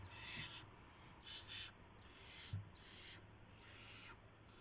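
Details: At night at the nest on March 24, 2016, an owl arrives carrying a gopher. Rough, noisy hisses come in uneven bursts about every second, with a soft thump midway and constant background hum.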